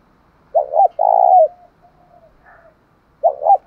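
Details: Low 'thổ sấm' style coo of a spotted dove used to excite a decoy bird. One full phrase, a doubled note and a long held note, faint cooing after, then the next phrase begins.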